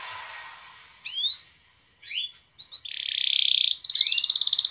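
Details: Canary lure song for stimulating other canaries to roll and sing: scattered rising whistled notes give way to a sustained buzzy note and then a rapid, very high rattling trill.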